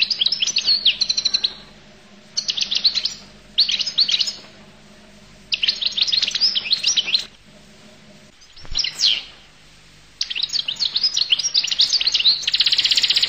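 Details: Goldfinch song: fast, tinkling twitters and trills in bright high bursts, broken by short pauses, then a long liquid run that ends with a buzzy note. A steady low hum runs underneath.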